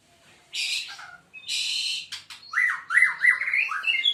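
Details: Seven-month-old White-rumped Shama in a bowing display, opening with two harsh, noisy rasping bursts, then a rapid run of varied, bubbling warbled notes that rise and fall.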